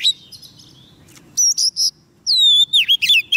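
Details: Soft-food-fed Oriental magpie-robin singing to attract wild birds: a thin high note, a break, then loud ringing whistles and a long descending slurred whistle followed by quick chirpy notes.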